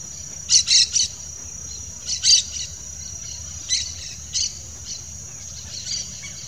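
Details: Yellow-chevroned Parakeet pair, Brotogeris chiriri: loud grating screeches in quick doublets and triplets early on, then fainter single notes fading off, with a constant shrill insect whine behind.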